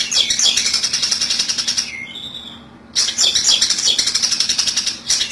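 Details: Long-tailed shrike lure for trapping: rapid, grating chatter of many repeated notes, interrupted by a near-silent pause of about a second before the harsh chatter resumes.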